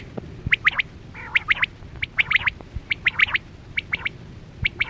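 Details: Chora quail (batera) lure calls for hunting with nets: rapid clipped chirping notes in tight clusters of two to four, about a dozen bursts in a few seconds, over a low hum.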